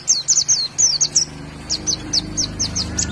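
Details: Caged white-eye from Indonesia, known locally as pleci, giving a sparser song. Short, high, sharp downslurred chirps come in quick clusters, then spaced singly about every quarter second over a low steady hum.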